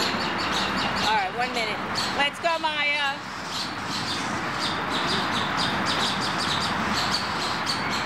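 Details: Red-tailed hawk fledglings in Riverside Park, 7-12-09: two bursts of strained, wavering squeals, one after another, over steady city hum and a fast high ticking in the background.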